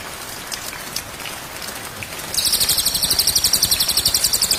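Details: Cage-bird training track of white-rumped shama song: after two seconds of rain-like hiss, a fast, dry, high-pitched rattling trill of repeated pulses begins and carries on to the end.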